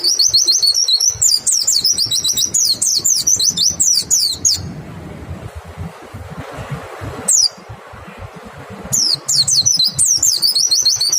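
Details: Caged white-eye singing a clear lure song meant to prompt other white-eyes to sing. Fast, very high, thin downslurred whistles pour out in dense bursts, then break off for a few seconds before a final rapid volley.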